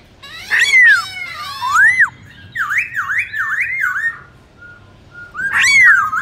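A Black-throated Laughingthrush sings loud, varied whistled phrases: swooping and looping notes, then a fast run of rising-falling slurs repeated about twice a second.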